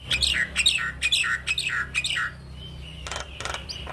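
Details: Morning song of a black-winged starling used to stir a quiet bird: five loud harsh descending squawks in steady succession, then a thin drawn-out whistle and scratchy bursts, low hum underneath.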